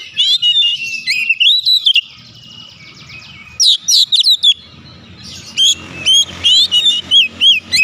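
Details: Oriental magpie-robin (kacer), agitated, unloading its isian filler repertoire: loud bursts of sharp, slurred whistles and rising-falling notes in three phrases separated by pauses, with a faint low rumble beneath.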